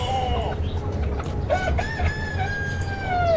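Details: Chickens in a flock give drawn-out harmonic calls, one rising then falling in the middle, over constant low background rumble.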